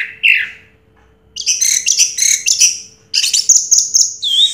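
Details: Orange-headed thrush, 2022 first-place contest champion, opens with one slurred note, then pours out dense, very high, buzzy mimicking phrases in two long bursts.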